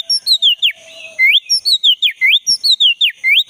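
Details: Lively song of a black-breasted Oriental magpie-robin, a lure for a caged bird that has stopped singing: a quick chain of bright whistled notes, each sliding down then sweeping up, with one short pause in the middle.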